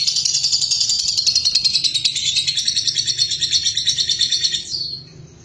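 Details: Lovebird kept at home: a long, fast, buzzy high-pitched chattering trill that gently descends, then fades out near the close, with a low hum behind it.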